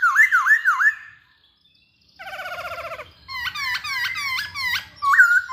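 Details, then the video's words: Masked laughingthrush in full song, meant to provoke other birds to sing: looping wavy whistles, a pause, a fast buzzy trill, then repeated sharp hooked whistles ending in a loud slurred note. "Burung Poksay Hongkong Gacor"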